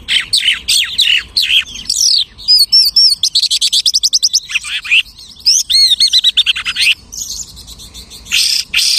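A lark pours out a rapid, varied song of high chirps, trills and looping whistles, switching phrases every second or so like borrowed calls of other birds.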